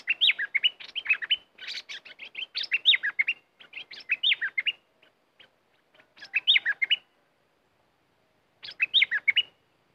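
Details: Red-whiskered bulbul competition bird, used as a decoy and especially fierce this week, pours out rapid bursts of chirpy, warbled whistles in tight strings. It pauses briefly, then resumes with more energetic phrases.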